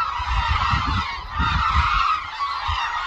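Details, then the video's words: Large flock of hooded cranes in flight at Suncheon Bay wetland, Korea, where they gather for winter. Constant overlapping trumpeting calls with low rumbling wind or handling noise underneath. "흑두루미 울음소리"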